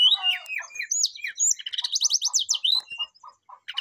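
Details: Brown-chested jungle flycatcher singing to call a rival: a tumble of sliding whistles and rapid sweeping notes, over a steady series of low, soft pulsed notes repeating several times a second.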